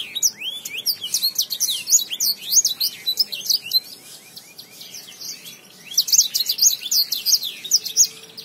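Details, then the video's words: Lemon finch in energetic song, delivered in two loud bursts of rapid twittering and downward-slurred whistles, with a brief quieter pause of about a second between them. "Lemon finch gacor dorr"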